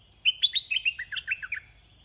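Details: Red-whiskered bulbul in a decoy cage. A single quick phrase of roughly a dozen liquid whistled notes starts high and steps downward, under a faint continuous high insect tone.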